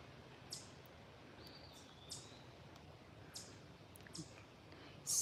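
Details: In the evening of a sunny day in a forest in Allegheny County Park, western Pennsylvania, a bird gives sharp, high chip notes about once a second with one thin whistle between, possibly a warning to other birds about a passing hiker.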